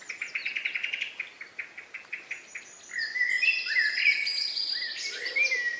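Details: Dusk chorus in the countryside on May 2, 2020, around 9 p.m.; a fast run of evenly repeated clicking notes gives way to a dense mix of high whistles and warbling from several birds.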